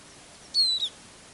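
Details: A caged Eurasian siskin used as a decoy while trapping songbirds from a hide on a dense-fog winter day with north wind gives a single thin, high whistled note sliding gently downward with a brief catch, over quiet hiss.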